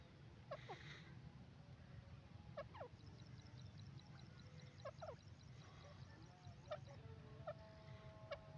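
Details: Grey francolin (gora teetar) giving short descending notes in irregular bursts a second or two apart, with fine high-pitched ticking and a low background hum throughout.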